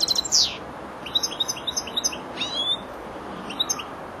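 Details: Young European goldfinch, four months old, learning to round off its song phrases: a sharp high note, then rapid liquid twitters and buzzy trills in short bursts, ending in a brief chirp group.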